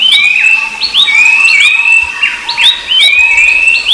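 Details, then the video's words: Rufous-browed Babblers with another babbler species (Pelanduk Semak) in a noisy, busy chorus: loud, clear whistles slurring up and down, overlapping several times a second with no pause. "Suara Burung Berisik || Pelanduk Semak & Pelanduk Topi Hitam"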